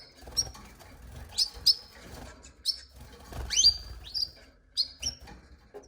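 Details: Canary calling with a run of bright, high rising tweets, some doubled, spaced roughly half a second apart, over soft low rustling and movement noise.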